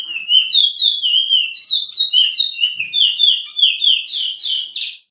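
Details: Suriname picolet (curio), the chestnut-bellied seed finch, singing its "pije pije" training song: a loud, continuous stream of rapid slurred whistles, rising and falling and rolling on without a break, in a quiet room.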